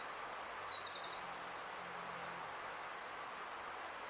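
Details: Rufous-collared sparrow in an urban setting in Uruguay singing: a high whistled note, then a longer whistle sliding downward, ending in a quick trill of four clipped notes, over a steady background hiss.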